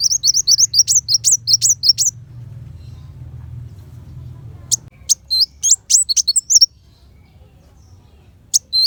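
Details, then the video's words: Kolibri wulung sunbird song in a 'tembakan besetan' style, used as master song to train white-rumped shama for contests: very high, rapid chirped notes in quick bursts, a pause with low hum, then more sharp twittering. "Pancingan Kolibri Wulung Full Tembakan Besetan Pedas"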